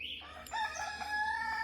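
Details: A chicken's crow on a July 3rd day, a steady harmonic note held for over a second after a short rising start, with faint background hum.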